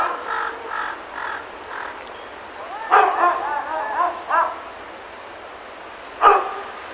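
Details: Wild Panama amazons, a pair of Amazona ochrocephala panamensis in Panama, answering a person who calls to them: clipped nasal notes, then a loud burst of overlapping harsh squawks, and one sharp squawk after a pause.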